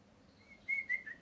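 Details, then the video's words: Pet parrot, molting and missing feathers, whistling a string of level and slightly falling notes, three or four brief tones in quick succession after a quiet start, faint room hum beneath. "Parrot Chirping Sounds | Natural Parrot Sounds | Parrot Calling Sounds"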